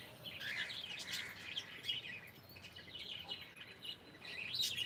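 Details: Pet cockatiel saying good morning with a burst of lively warbled chirps and whistled notes at the start, then quieter scattered chatter and a final bright chirp, over faint hiss.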